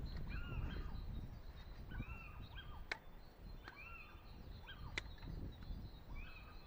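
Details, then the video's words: One or two Little Owls give short mewing 'kiew' calls, rising then falling, several times in the background of an apple orchard during pruning, over a low rumble and sharp snips of pruning shears. "that's a little owl or Two Little Owls you can hear in the background there"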